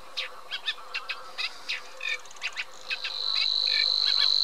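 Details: Eurasian reed warbler delivering evenly spaced grating notes, about four per second, before a steady thin high whine rises and continues under the last phrases.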